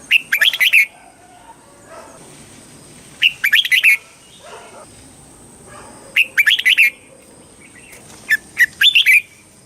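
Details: Red-whiskered bulbul song from Thailand, played to caged birds to excite them and tutor young birds: four bursts of fast, bubbling whistled notes spaced about three seconds apart, with quiet between.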